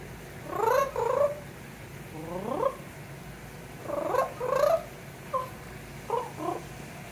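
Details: Pet parrot in a Florida screened porch singing a little and trilling in imitation of its owner: several short warbled bursts and swooping trills separated by brief pauses.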